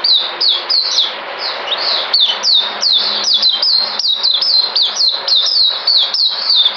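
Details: Rapid chattering birdsong from 9 December 2018: bright, high looping whistles and quick slurred notes tumbling several per second in an unbroken run, with faint low hum underneath.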